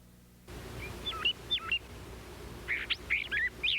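California Thrasher singing short, varied phrases of whistles and harsh notes, given in jerky bursts with pauses, over a low steady background hum.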